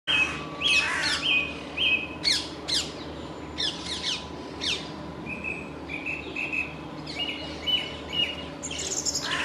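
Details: Song thrush singing from a treetop in a leaf yard beside a Peter Pan statue; clear whistled phrases, each repeated two or three times, broken by harsh cawing bursts from another bird over a steady low hum.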